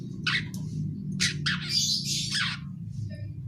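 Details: Young long-tailed shrike learning to sing, giving ngeriwik calls: a few drawn-out harsh, hissing squawks, one stretched nearly a second, over a low hum.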